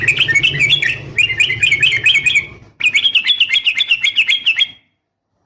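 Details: Sooty-headed bulbul, female calling a male, used to lure males into calling: two bursts of quick, bright, bubbling chattered notes, each rising and falling in short wavering phrases, broken by a brief pause and ending in silence.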